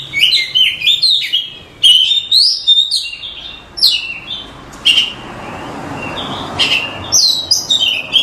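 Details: Oriental magpie-robin masteran training song: a fast run of jumbled whistles and chirps, then short scattered notes over a broad hiss of background noise, before a new busy phrase begins near the end.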